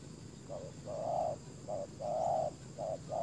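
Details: Spotted dove acting as a decoy to lure wild doves. A short burst of mellow coos alternates brief and drawn-out notes in an uneven rhythm over a low hum.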